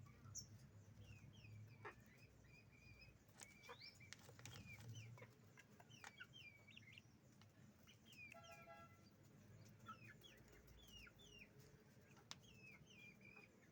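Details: Chickens at a farm with roosters and hens: many thin, high, falling peeps scattered throughout, occasional short clucks and clicks, and a constant low rumbling background.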